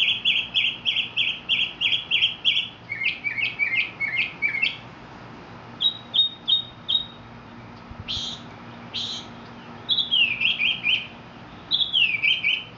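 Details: Long varied Mexican mockingbird song: a rapid train of repeated high notes, then changing phrases, two harsh buzzy bursts, and later sweeping falling whistles, each motif repeated several times.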